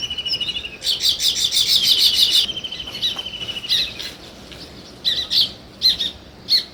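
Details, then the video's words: A rapid, pulsing run of sparrow chirps follows a short even trill, then gives way to a few isolated sharp chirps spaced about half a second to a second apart. "Sparrow Chirping Sounds"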